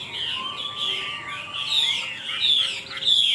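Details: Tame Chinese hwamei kept caged in Vietnam, praised as a good singer with a large body, pours out a high, tightly modulated whistled warble with thin piercing accents near the end.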